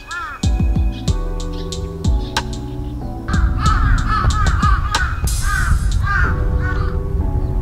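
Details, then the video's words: Crow in Japan, either a jungle crow (city-preferring) or a carrion crow (rural-preferring), giving a run of harsh, arching caws in quick succession over steady background music with sustained chords. "Crows Called Jungle Crow and Carrion Crow"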